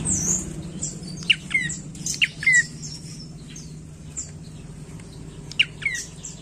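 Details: Prinia known as prenjak coki sings short chip-and-downslur phrases in clusters, with a quiet gap in the middle, over faint high chirping and a continuous low hum.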